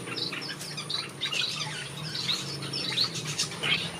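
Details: Twittering finches in a backyard aviary, a busy stream of short high chirps and trills with a faint background hum.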